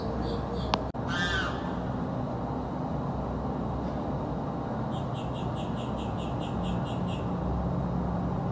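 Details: Bird in South Florida screaming day and night; one harsh scream after a click, then faint, rapid, evenly repeated high notes in the background.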